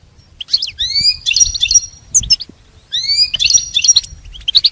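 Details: Pet goldfinch song used for training, in two bursts of bright twittering notes and short sweeping whistles with buzzy trills, separated by a brief pause.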